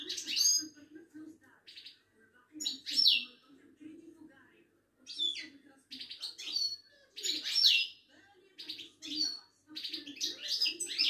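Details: Moroccan European goldfinch of Wydani type from a Casablanca bird market, singing a long sequence of bright, jangling twittered phrases with buzzy trills and brief pauses; low background hum throughout.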